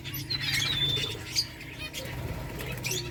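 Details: Finches feeding on eggfood give thin, high chirps and short whistled notes in quick, irregular bursts over a steady low hum.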